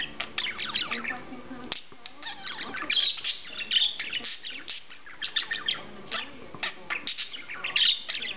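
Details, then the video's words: Male English budgie chattering at length indoors, a long jumble of raspy warbles, clicks and sharp high squawks, with short gaps between bursts. "Whaley The English Budgie Is A Psychic!!"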